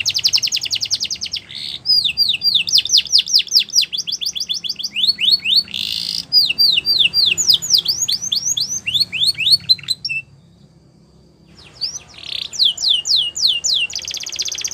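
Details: Border canary singing a training song for young canaries, alternating buzzy trills with rhythmic tours of falling whistled notes, a short silence near the end, then more slurred notes and a rolling trill.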